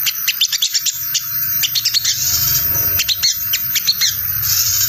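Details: A Crested Jay gives a rapid, scratchy chatter of high, harsh chips in uneven bursts, nearly continuous, over a low background hum; the call is used as a lure to draw responses from other jays.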